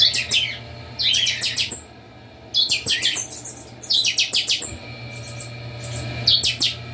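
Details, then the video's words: Captive chopi blackbirds kept together at a breeding aviary, all singing at once: loud bursts of rapid, ringing, metallic notes repeated about every one to two seconds, with quieter chatter between and a steady low hum beneath. "Baderna com todos os chanchões do criatório"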